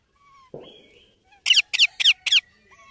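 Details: Baby Indian ringneck parakeet giving four harsh falling squawks after a soft rustle or thud and faint thin whistles in the background.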